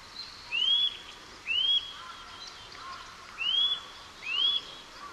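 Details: Song of a Eurasian nuthatch in Japan: four bright whistled notes, each sliding upward, delivered in two loose pairs at roughly one-second intervals against a soft noisy background.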